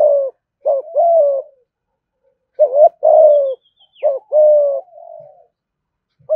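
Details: Thúc gù cooing from a caged spotted dove: repeated two-part coos, a brief warbled note then a longer level coo. Several phrases come in close succession with faint softer notes trailing after.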